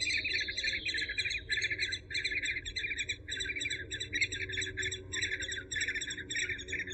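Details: Eurasian hobby in a repeated, rhythmic chatter of bright, short notes, grouped in quick bursts with brief gaps. A steady low hum lies underneath.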